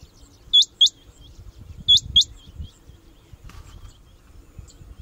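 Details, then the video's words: Close male rain quail at Bhigwan, July 2021, in monsoon breeding season, calling to mark territory and announce itself to other males: two pairs of piercing, clipped high whistles over low background rumble. "Rain Quail Bhigwan July 2021"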